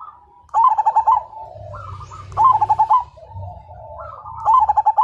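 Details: Spirited Majapahit zebra dove, said to get other birds calling along, repeating a bubbling phrase of quick staccato coos about every two seconds. Softer answering coos fill the gaps, with a low hum beneath.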